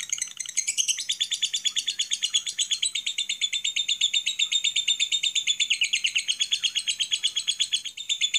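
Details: High-pitched lovebird ngekek, a long chattering master song for provoking other lovebirds to sing: rapid, evenly spaced buzzy pulses form one unbroken rattling trill with small rises and falls in pitch.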